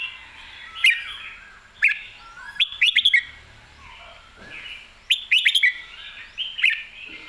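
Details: Red-whiskered bulbul singing lively whistled phrases, each a cluster of sharp, quickly slurred notes, repeated about every second or two across the recording over a low steady background hiss.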